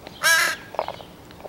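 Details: Noisy crow being fed one morning, 15 July 2017: a single loud, rasping caw lasting about a third of a second, followed by faint softer sounds.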